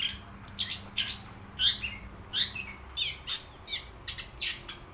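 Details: Singing wild long-tailed shrike producing a lively jumble of sharp chirps, squeaky whistles and gritty rasps, roughly one or two notes per second and irregular in spacing, against a faint steady hum.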